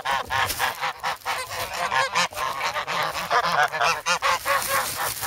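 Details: Grown geese, former goslings, in snow at Sloterpark, Amsterdam, on 3 February, noisy and hungry while begging for bread from a person; dense overlapping harsh nasal honks from several birds, rapid and continuous with brief gaps.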